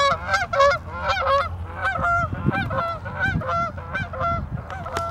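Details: Geese at a lagoon on the Northside of Madison, Wisconsin, USA, giving loud, nasal honks in quick uneven bursts, several birds overlapping, with low background rumble.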